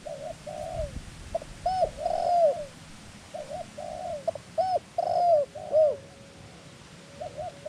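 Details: A caged decoy dove used in Thai dove trapping to attract wild birds. Paired soft coos are followed by loud, ringing, downslurred coos, in repeated bursts with quieter coos between.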